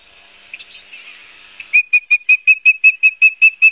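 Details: Osprey on its nest at Barnegat Light, New Jersey, recorded by nest camera on September 12, 2022: soft, faint whistles at first, then eleven loud, evenly spaced high chirps in under two seconds.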